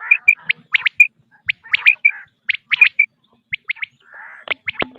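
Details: Quail on a cassette used for hunting: clusters of quick high chirps alternating with brief whistled notes, repeated about every second, with a short soft rasping noise near the end.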